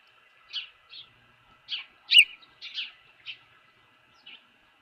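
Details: Osprey at its Dunrovin Ranch nest holding a fish, 24 April 2018, 4:19 PM; soft, scattered high chirps and squeaky notes, irregularly spaced, one louder sharper note in the middle, over a faint steady hum.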